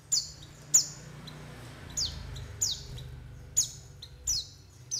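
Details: White-eye calls used to lure birds: sparse high, sharp notes dropping in pitch, each followed by a short thin tail, spaced irregularly about once a second, low hum behind.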